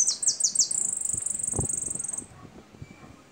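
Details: Goldfinch (jilguero) singing: a quick run of four high, downward-swept notes flows into a long, even, buzzy trill high in pitch lasting over a second, with a soft thump in the background.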